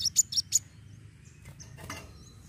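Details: A brown-throated sunbird in active, fighting song gives four sharp, very high chips in quick succession, then a few softer high notes over a faint background hum; used to stimulate other sunbirds to sing.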